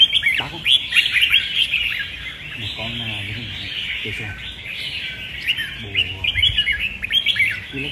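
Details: Contest singing by a caged red-whiskered bulbul: rapid, bubbling whistled phrases at a quick pace, with men's voices talking in the background.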